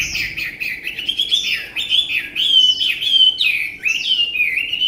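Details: Tame caged Chinese hwamei singing a continuous, loud warbling song of rapid slurred whistles, rising and falling phrases running together with barely a pause.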